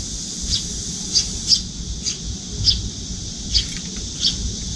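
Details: Juvenile Eurasian tree sparrow with pale cheeks pursuing a parent for food at a window feeder, wings trembling. Scattered, piercing squeaky chirps at irregular intervals, with a steady high hiss behind.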